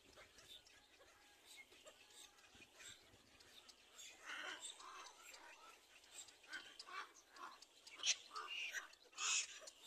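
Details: Little black cormorant chick begging while an adult feeds it: harsh, hissing, broadband squeals in irregular bursts that grow louder and more insistent toward the end.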